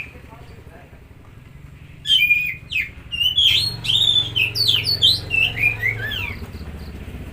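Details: Oriental magpie-robin song for stimulating a stressed or silent bird; after a hum-filled lead-in, a lively series of sharp, varied whistled notes over steady low background noise.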